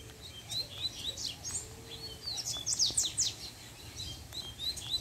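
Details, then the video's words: Caged Double-collared Seedeater (coleiro) in a managed breeding pair, the male singing as the female appears: rapid, high twittering phrases of sharp slurred notes that rise and fall in quick bursts across the whole stretch, over a faint background hiss. "PUXADA DE COLEIRO 2 - A FÊMEA APARECE O COLEIRO SE TRANSFORMA!!!"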